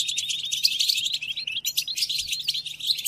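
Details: Brief European goldfinch song for training caged goldfinches during moult: rapid, bright, high twitter with a slight break halfway, notes tumbling quickly, steady faint low hum below.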